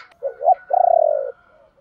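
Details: Caged decoy spotted dove used to attract wild birds, singing the "ba hậu" style: a soft double coo followed by a long rolled, pulsing burr that fades slightly, with a faint steady high tone behind.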